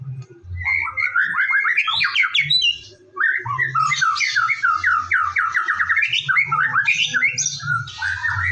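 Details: White-rumped shama singing in the morning as a lure to get shamas in full voice: long rapid series of rising and falling whistled notes, briefly pausing, then continuing in cascading runs over a low hum.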